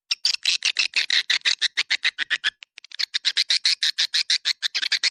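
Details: Rhythmic swiftlet chirps from a 'Dua Bidadari' attraction call for drawing swiftlets in: evenly spaced sharp, buzzy notes, roughly five each second, with a short pause near the middle before the series resumes.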